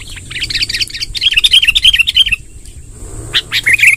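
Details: Long rolling song of an actively singing sooty-headed bulbul, used to gather wild birds: a fast run of chattering, bubbly notes that rolls on for about two seconds, a pause, then a few sharper notes, with a constant high electronic whine.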